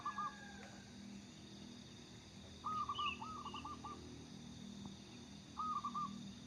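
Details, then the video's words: Lively local zebra dove, kept as a lure, giving three phrases of quick, gentle cooing notes, one longer and more drawn out, with a brief faint chirp and a click over constant hiss. "burung perkutut lokal gacor cocok buat pancingan"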